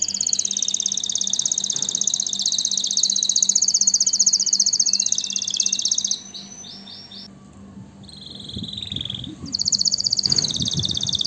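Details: Canary singing long fast buzzy trills, then scattered short notes and a brief quiet stretch with faint low thumps, before a high rapid trill returns; steady low hum throughout.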